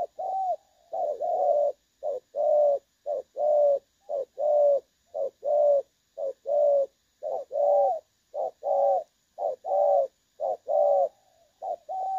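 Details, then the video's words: Decoy spotted dove for trapping, clear pleasing voice, recorded 16 August 2024: a long run of paired coos, a short note then a longer rounded one, repeated steadily about once a second, with a faint high electrical whine. "ĐỒNG SON | Giọng trong nghe hay"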